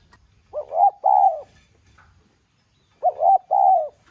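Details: Spotted dove, 'giọng son' voice, urging call meant to excite other doves into cooing: two phrases, each a quick double-hump coo followed by a longer arched coo, about 2.5 seconds apart, otherwise quiet.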